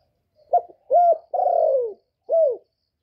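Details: Spotted dove in the 'giọng thổ' voice giving calling, urging and cooing notes meant to stimulate males: a brief opening note, a level coo, a drawn-out descending coo and a short falling coo, all clean and uncluttered.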